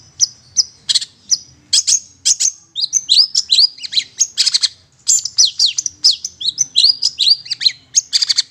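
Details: A long-tailed shrike lure recording for attracting wild shrikes: a fast, busy stream of high, squeaky and scratchy chattering notes, several each second, with brief pauses between bursts.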